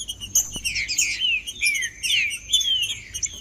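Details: Green-winged saltator, a captive bird, sings to warm up another bird: loud slurred whistled phrases, sweeping down and up, repeated in quick bursts with a sharp high overtone line and a faint click.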